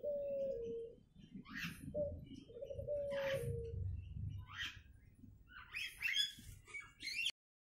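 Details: Bantam chickens foraging for food on their own on a sunny Sunday morning in South Jakarta give low, drawn-out falling calls among higher chirps over a rumbling background.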